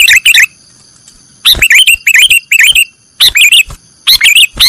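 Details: Sooty-headed bulbul in the 'nggaruda' style, kept as a master recording for training cage birds: bursts of quick, bubbly warbled notes in three groups separated by pauses, over steady faint high tones.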